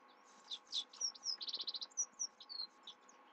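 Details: Night song of a Himalayan goldfinch: loud, quick series of high chattering notes, a short trilled burst and several clear sliding whistles, over faint steady background hum.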